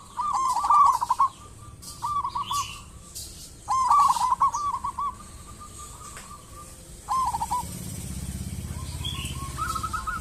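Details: Local zebra dove in full song, played to coax other zebra doves into singing: repeated phrases of fast, rattling, pulsed cooing at a steady pitch, with a low rumbling background noise during the last few seconds.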